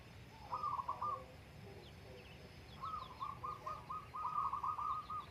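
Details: Zebra dove singing in the morning on the Menoreh slopes: two bursts of rapid, evenly repeated mid-pitched cooing notes forming a quick trill, the second phrase longer, with faint high chirps of other birds in the background.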